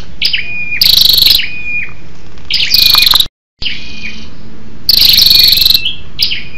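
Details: Scarlet-backed flowerpecker female, a lure call to stir males, giving high, thin, sharp notes in quick buzzy bursts every second or two, with brief tinny slurs between; faint low hum underneath.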